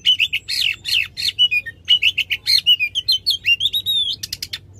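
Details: Oriental magpie-robin belting out a loud, varied stream: quick whistled swoops and chips, a long sliding whistle near the end, then a few sharp clicks, used to coax a silent bird into singing.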